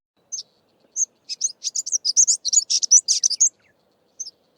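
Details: Greater Double-collared Sunbird, a common garden bird of the Eastern Cape, South Africa, giving a rapid, high-pitched jumble of sharp chips and twittering notes, bracketed by single thin tseep notes; nothing else is heard.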